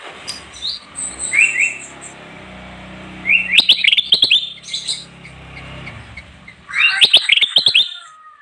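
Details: Bulbul (kutilang emas) singing energetically, a song used to lure wild birds: quick clipped whistles and chattering runs in two main bursts, over a low steady background hum.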